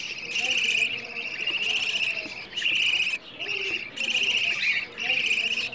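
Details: Budgie chicks asking for food, a recording meant to stimulate mating, egg laying and more chicks: loud scratchy begging bursts about a second long, five in a row with short breaks.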